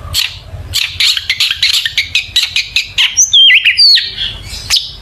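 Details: Long-tailed shrike lure song used to provoke singing: a fast run of harsh, rasping chatter notes, then a few pure whistles that twist up and down before a final scratchy note.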